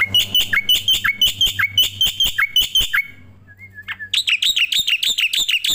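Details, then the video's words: Starling vocalising for master training audio aimed at other songbirds: rapid repeated downward-sliding chirps, a short pause with a couple of soft whistles, then a denser run of high chirping notes. "suara masteran burung jalak putih,jalak kebo,jalak nias,jalak suren"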